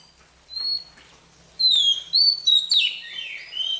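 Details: Newly caught Oriental magpie-robin practising its morning song: one soft whistle, then loud clear falling whistles and rising slurs in quick succession, ending in a buzzy warble.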